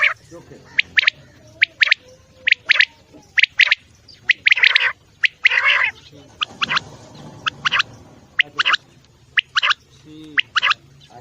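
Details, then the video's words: Quail calling, described as a rare call and best used at night: sharp, buzzy chirps in short bursts, given singly and in quick clusters at irregular intervals, with quiet gaps between. "بٹیر کی آواز | بہت ہی نایاب بلارا | رات کو لگانے کے لیے بہترین۔"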